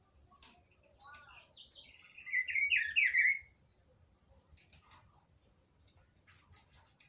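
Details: Pitiguari, the rufous-browed peppershrike, singing a rich, warbled phrase that rises and falls, loud for about a second and a half mid-clip, with thin high chirps from other birds before and after.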